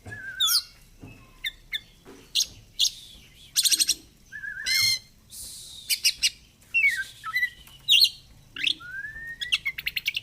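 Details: A kacer (oriental magpie-robin) sings 'gacor fighter' style while doing 'ngobra': varied high chirps, short rattles and quick slurred whistles, with a faint low hum underneath.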